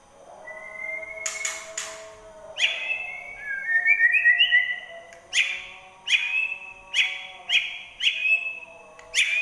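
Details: Caged white-rumped shama in full contest-ready song, Indonesia: clear whistled phrases near the upper-middle range, a long rising whistle then rapid twittering, followed by bright whistled notes repeated about every second.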